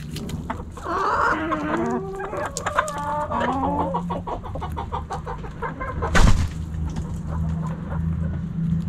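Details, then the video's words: Hens in a backyard make a burst of quick warbling clucks and short squawks early on, then quieter scattered clucking with a sharp bang and a steady low hum behind. "Backyard Chickens Fun Relaxing Video Sounds Noises ASMR Hens Clucking Roosters Crowing!"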